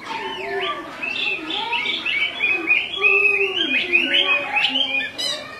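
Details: Repeated calling from a female Chinese hwamei as the male becomes agitated; a varied stream of mid-pitched whistled slurs over lower warbling tones, steady in loudness.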